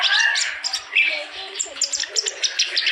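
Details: Clamorous reed warbler (kerak basi) singing steadily, meant to prompt birds that have stopped singing; short harsh chattering notes in quick pulses with a thin high whistle near the start.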